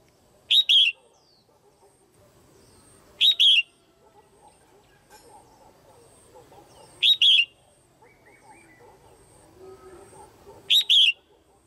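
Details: Red-whiskered bulbul, a female, calling to stimulate males or for pairing: four loud doubled phrases, each a quick chip then a warbled whistle, spaced about three to four seconds apart, soft background chatter.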